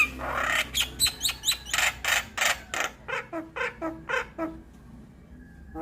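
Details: Javan myna lure and tutor recording for starlings: harsh, rasping bursts repeated in quick succession, some with short squeaky upward notes, fading into quieter calls.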